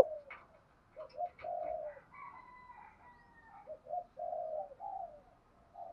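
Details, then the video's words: Malaysian-type spotted dove giving the thúc gù cooing style, soft and somewhat distant: short doubled notes followed by longer, hollow, slightly falling coos in loose phrases. Faint thin whistles and light background noise are also heard. "Tiếng chim cu gáy thúc gù, cu gáy malaisia gù thúc bài bản, chim cu gáy thúc gù bài bản"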